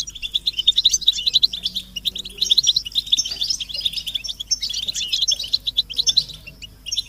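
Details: European goldfinches in group song of mating and readiness calls used as stimulation for silent males; quick, bright chattering bursts rise and fall in waves, with rapid clicking pulses early on.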